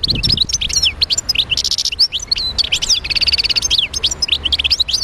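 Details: Wild-type European goldfinch from Médéa singing: a fast, continuous twittering of high liquid notes, sweeping whistles and buzzy trills, tumbling without pause.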